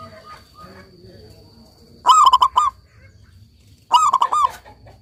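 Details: Local-type zebra dove in eager song delivers two quick cooing phrases, a hoot running into a burbling series of notes, under two seconds apart, after faint background chatter and a low hum.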